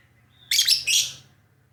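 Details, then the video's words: Lovebird in lively, full song: two harsh, buzzy chirps in quick succession, broad and high-pitched, lasting under a second, with a faint low hum underneath. "Love bird gacor"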